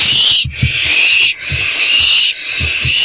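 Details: Owlet in a nest box at night, 1:38 am on 27 March 2024, with a vole just delivered by a parent; a loud, continuous rasping hiss runs through the clip, with low knocking and shuffling sounds beneath.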